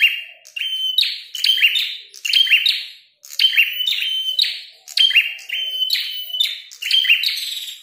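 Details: Red-headed prinia in a fighting display, singing loudly and persistently: bursts of sharp, buzzy notes near one steady pitch, each opened by hard snapping clicks, in groups about every second with brief pauses.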